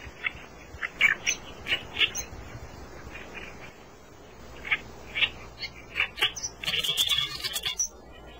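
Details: Reed warbler in reed beds, singing a harsh, chattering song of short scratchy notes in irregular bursts, followed by a rapid buzzy rattle near the end, with faint background hiss.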